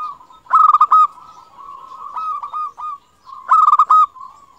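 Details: A local zebra dove, a keen singer whose voice is used as a master call to draw replies from other doves, gives two bursts of quick, rattling, staccato coos about three seconds apart, linked by softer, drawn-out mellow coos.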